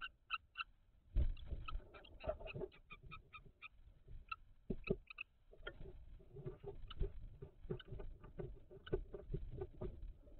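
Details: Common kestrels at a nest box, 17 May 2023, during a food transfer; scattered short, sharp call notes in quick clusters, mixed with steady scraping, shuffling and thumping in the box.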